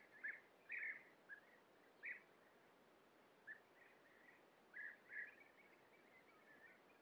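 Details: European bee-eaters in a breeding colony, feeding young at their nest burrows, give short, rolling, burry 'prruip' calls, about nine over seven seconds at an irregular pace, over soft outdoor hiss.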